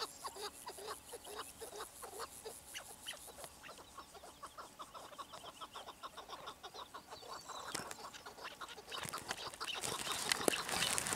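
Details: Chukar partridge uttering a dense series of sharp chucking notes at roughly two to three per second for about eight seconds, followed by louder rustling and handling noise near the end.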